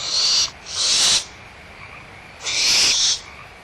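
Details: Barn owlets squabbling over leftover food at Audubon Starr Ranch Sanctuary, April 2011, mother nearby: three rough, airy hisses in quick succession, the last one drawn out, with a continuous frog chorus behind.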